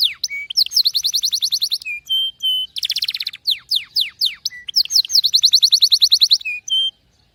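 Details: Singing canary delivering quick trilled tours, falling whistled slurs and short steady notes, with a dense buzzy burst midway and another long bright trill before ending.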